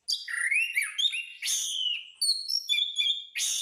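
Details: Orange-headed thrush song for training caged birds: a low slurred whistle, loud buzzy bursts, then clear high whistled notes in short varied phrases.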